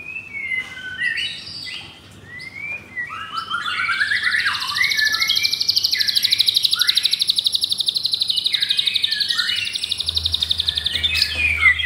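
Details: Captive White-rumped shama, F4 blorok, Jakarta, Indonesia, said to copy a canary: scattered whistles lead into a long high buzzy trill pulsing about three times per second, lasting several seconds, with a low hum beneath.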